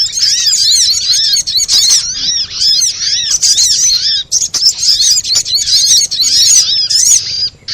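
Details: Sunbird used as a singing lure: energetic high-pitched twitters, with rapid arched chips and sharp ticks running almost without pause, thinning briefly midway.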